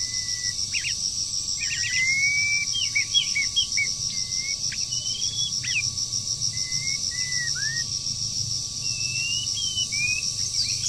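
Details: Energetic breeding-season song from a moulting wild bird: clusters of fast rising flicks, longer level whistles and a dipping, looping note, with gaps between phrases and a constant loud high buzz behind.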